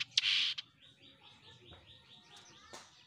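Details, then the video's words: Jenggot Mini bird in active, chatty song (gacor): one loud, harsh high burst, then a fast series of soft, repeated chirps at a steady high pitch, ending with a sharp click-like note. "JENGGOT MINI GACOR‼️"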